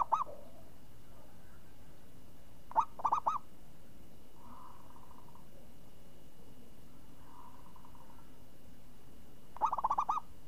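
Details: Champion zebra dove (perkutut) with a crisp, swinging 'renyah ngayun' song: three short phrases of low rippling coos, each a sharp opening note then quick bubbling notes, separated by long pauses over a steady faint hum.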